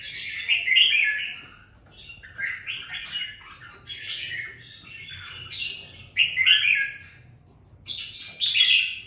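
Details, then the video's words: Caged red-whiskered bulbul after two weeks of care, its song starting to show fire; repeated rich, warbling phrases of rolling whistles, five or six loud bursts with short pauses between them. "Đánh liều mua con chào mào chỉ chọn bóng bộ ,sau 2 tuần nuôi dưỡng em nó đã ra giọng có chút lửa"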